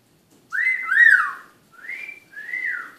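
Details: Eclectus parrot kept as a pet, evening talk session: a clear whistled phrase of a long note that swells and bends, then two shorter level whistles, all clean against a silent room.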